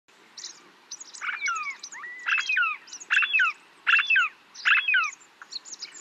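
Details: Snow partridge calling near Tungnath Temple, Chopta, Uttarakhand, India, at 3700 m altitude. Loud, harsh phrases of quickly descending strokes repeat about every 0.8 seconds, five times, over constant thin high chirps from other small birds.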